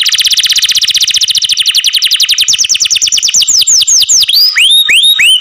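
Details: Caged canary sings a very fast, dense trill of falling sweeps that slows into separate sweeping notes and ends in high upslurred whistles.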